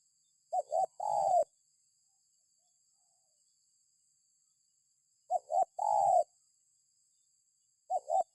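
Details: Widely spaced spotted dove phrases meant to draw other birds into calling: a clipped double coo followed by a fuller, falling coo, heard twice with long pauses between and a third starting at the end.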